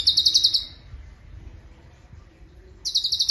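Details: High, fast chattering bursts of cucak cungkok song, a rapid run of bright chirps followed by a pause of about two seconds and a second similar burst, with a quiet background hum.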